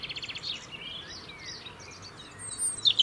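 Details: European robin singing in the UK to keep a winter territory: a brief run of high, slurred and trilled notes, closing with a sharp, bright flourish.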